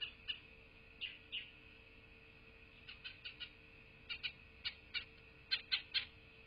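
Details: Wild bald eagle at its nest in a rural southwest Florida landscape, recorded by a nest camera on 8 November 2023 around 12:47. Faint, high chirping notes, single and in pairs, scattered irregularly and becoming quicker and louder toward the end.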